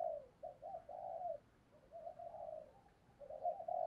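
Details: Decoy dove luring others with low, mellow coos in short bursts, fairly faint against steady background noise.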